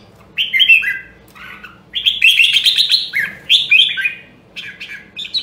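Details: Rare Nam Đông, Huế red-whiskered bulbul training its voice for competitive singing: lively burbling whistled phrases in rapid runs, rising and falling notes tumbling together, with a short pause midway.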